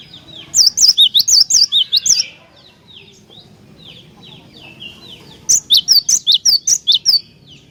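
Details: Cinereous tit in full, persistent song, played to provoke other tits into singing: two bursts of about seven loud, sharp, high two-note phrases repeated rapidly, separated by a quieter stretch of faint chips and twitters.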